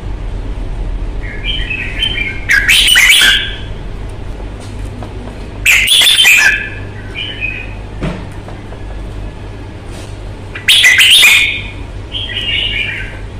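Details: Red-whiskered bulbul, a Vietnamese hobby bird showing fighting temperament, delivers short warbled phrases broken three times by loud harsh bursts mixed with broadband clattering, separated by quieter gaps.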